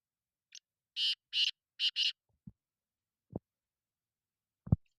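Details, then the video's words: Black francolin calling: a short lead-in note, then a loud phrase of harsh, buzzy, grating notes in two pairs, followed by a few sharp low knocks or clicks in the background. "kala titer"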